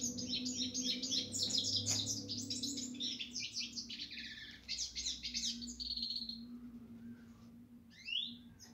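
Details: European goldfinch song: a dense, fast stream of high tinkling twitters and buzzy trills that fades after about six seconds, then a few separate rising chirps, with a low steady hum beneath.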